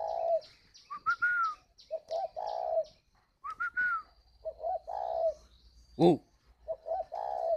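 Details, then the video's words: Spotted dove in a bird garden in Ba Vì, Hanoi, Vietnam, repeating 'gáy gọi hậu' phrases: low coos mixed with higher arched whistles, about four phrases, with one sharp knock midway. "Gáy gọi Hậu 1"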